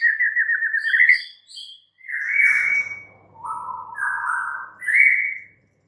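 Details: White-rumped shama delivering a quavering whistled phrase, then a loud sustained rich note and lower mellow whistles stepping back up into a bright upslurred ending, faint low hum beneath.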